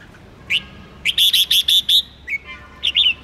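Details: Red-whiskered bulbul stimulating song for contest training: a lone chirp followed by a rapid series of about six repeated bright notes, then short trailing chirps.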